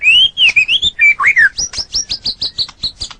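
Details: Caged white-rumped shama, murai batu, sings a few looping whistles, then a rapid series of about a dozen high sharp chirps, roughly five per second.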